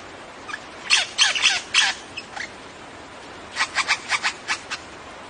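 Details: A lyrebird, a ground-dwelling Australian bird, gives loud, harsh, broadband notes in two bursts, a ragged cluster then about six evenly spaced squawky notes, over a faint hiss.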